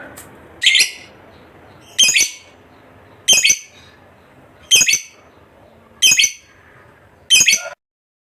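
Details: Contest fighter lovebird calling with six loud, rasping high squawks at roughly 1.3-second intervals, each brief and buzzy, over a quiet indoor background.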